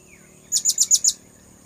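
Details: Five thin, piercing high-pitched squeaks from a blue-crowned hanging parrot, evenly spaced in a quick burst, used to lure birds.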